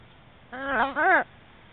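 A shamrock macaw gives one short, two-part call: a voiced, wavering squawk that dips in the middle, rich in harmonics, against quiet background.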